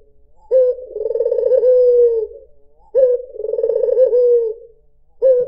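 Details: White dove (puter putih) used to lure birds, giving soft low coos about every two and a half seconds; each has a quick upward onset, a throbbing trill and a smooth falling finish, over quiet background.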